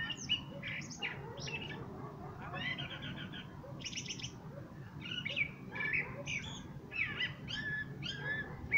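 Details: Common blackbird singing a busy run of short whistled and chattering notes, with scratchy high twitters mixed in between the deeper warbles, over a low background hum.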